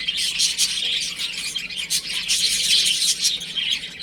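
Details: Baby chickens playing at home: a dense chorus of high, shrill peeps from many chicks, overlapping almost continuously, with a few louder chirps standing out.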